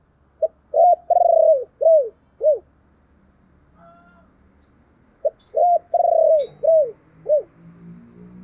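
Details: Low 'tiếng chìm' lure cooing of a spotted dove, meant to rouse decoy birds: two full phrases of short note, drawn-out quavering coo and two dropping coos, with a faint higher call in the pause.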